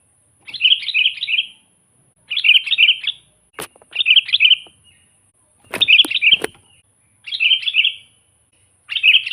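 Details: Sooty-headed bulbul singing steadily, used to lure wild bulbuls: six short chattering whistled phrases, each of several quick notes, repeated about every two seconds, with a few sharp clicks between phrases.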